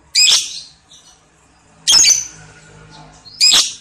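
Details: Lovebird giving a long ngekek ngetik chatter, used as a pancingan to spur other birds: three separate harsh, high squawks spaced about one and a half seconds apart, with quiet pauses between them.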